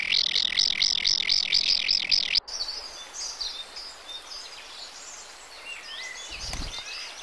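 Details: Common kingfisher feeding its young at a nest tunnel dug in the steep bank of a stream; shrill high chirps repeated about four times a second for two seconds, then an abrupt cut to faint scattered bird calls.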